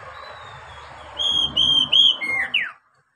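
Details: Oriental magpie-robin song used as a lure to get beginner captive birds singing quickly: a run of five clear, loud whistled notes, level then ending in a sharp downslur, over a low background hum.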